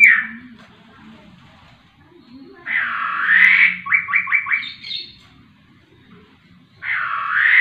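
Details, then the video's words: Vigorous laughingthrush song: a harsh drawn note followed by a quick run of four or five clipped stuttering notes, a higher squeak, then another rough note after a pause; faint low background noise. "poksay rowo super gacor"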